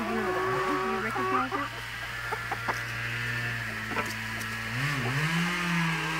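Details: Free-range chickens on a farm in Ontario, Canada: low, drawn-out clucks and croons that rise and fall, several overlapping, with a steady low hum and faint background noise.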